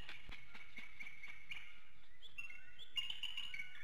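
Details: Morning at a bald eagle nest in Hanover, Pennsylvania, infrared camera, 7:06 a.m. wake-up: quick staccato high chips in a rapid series, then thinner squeaky whistled notes, all quiet against a steady background hiss.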